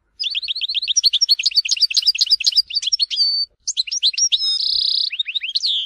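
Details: European goldfinch singing the Algerian Tizi Ouzou song used to teach young birds: long bubbly run of quick twittering notes, a brief break, then a phrase with a sustained buzzy trill and falling notes.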